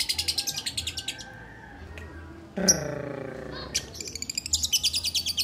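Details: Lovebird held in a person's hands, giving bursts of rapid, high buzzy chatter notes at the start and end, separated by a quieter gap with a brief low harmonic sound in the middle.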